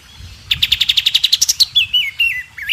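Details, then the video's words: Masteran recording of a White-rumped shama for young birds to learn: a rapid run of about fourteen even repeated notes rising slightly, then several wavering, warbled whistles. "masteran murai batu isian terbaik buat jurii"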